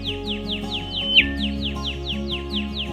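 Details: Male rufous whistler of a pair, busy in scrub on a hot day: an even run of quick, sharp whistled notes, each sliding down in pitch, about four per second, under continuous background music.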